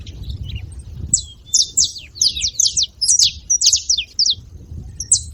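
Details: Noisy saffron finches: scattered high chips at first, building to a quick cluster of sharp, descending notes through the middle and ending with a lone chirp.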